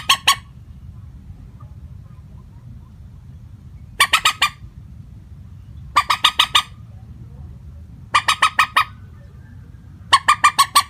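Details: Common moorhen call used to lure birds into nets, without pitch variation: six evenly pitched bursts of four to six rapid, raspy clucks, roughly every two seconds, over a low background rumble.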